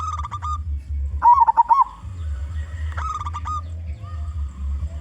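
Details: Local Indonesian zebra dove with a big, loud voice, singing as a lure for other zebra doves: short cooing notes, then a rolling, warbled coo phrase around the middle, over a steady low hum.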